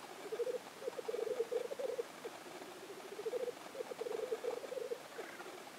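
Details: Black grouse lekking in Innvik in 2014; two soft bursts of bubbling, rolling cooing phrases, each about two seconds long, separated by a brief lull, with faint background noise.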